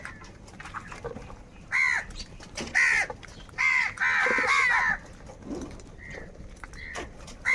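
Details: Angry crows fighting for food: loud harsh caws in bursts of two to three, each about half a second to a second long, with quieter calls and rustling between them.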